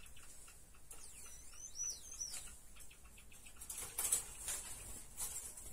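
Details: Java sparrow chicks 49 days old, kept as pets indoors, give a short run of thin, high whistled chirps that sweep up and down, followed by soft rustling and scratchy bursts.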